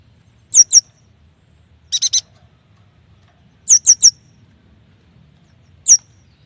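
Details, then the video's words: Yuhina song played to coax young, newly caught or quiet yuhinas into singing: pairs and triplets of sharp high downslurred notes alternating with a short burst of three buzzy chips, spaced by pauses of over a second. "AMPUH untuk memancing bunyi burung yuhina bakalan, muda dan malas bunyi"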